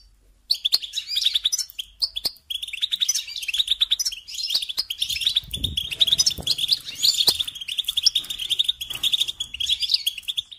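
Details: European goldfinch delivering a long, lively song of tumbling twitters and sharp chirps, starting after a short silence and continuing steadily.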